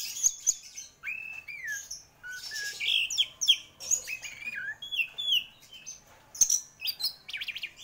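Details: Prize-winning orange-headed thrush pouring out a dense, varied song of whistled slurs, trills and chattering notes, continuous and lively throughout.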